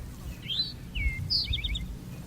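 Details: A towhee sings 'drink-your-tea' at Grassy Ridge, North Carolina, on the Appalachian Trail: a high slurred note, a lower note, then a quick bright trill, with low rumbling wind or handling noise underneath.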